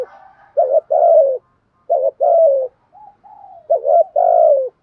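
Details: Decoy spotted dove with a fine patterned voice, cooing three phrases, each a quick upslurred note and a drawn-out descending coo, soft quiet tones between.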